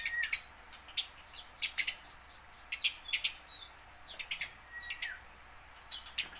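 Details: Tame house sparrow learning to sing, kept to spur captured sparrows into calling; lively repeated chirps in close groups of two to four, with a long high whistle running beneath.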